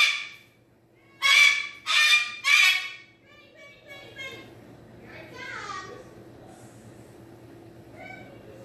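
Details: Pet cockatoo calling as its owner leaves the room: three loud, harsh, rasping screeches about half a second apart, then quieter warbling squawks and low household hum.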